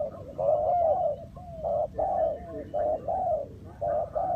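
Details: Spotted dove calling as a decoy to draw wild doves into a trap. Irregular hooting coos, some paired and some falling, are mixed with softer notes at a roughly steady pace.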